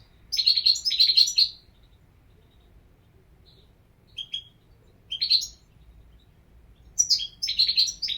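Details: European goldfinch song: an opening run of fast, bright, liquid twitters, a pause, then short chirpy notes, and another twittering phrase near the end. The high notes are tinkling and jumbled.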